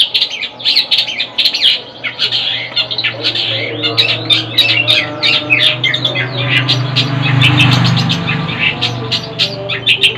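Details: Long-tailed shrike, known locally as cendet, in a home setting: harsh, buzzy, tumbling chatter of dense scratchy notes without pause, over a continuous low droning hum.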